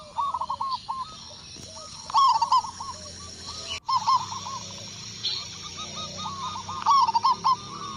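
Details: Local zebra dove from Indonesia in vigorous song after a single lure: several short loud rolling coo phrases separated by quieter repeated coos, with a brief thump partway through.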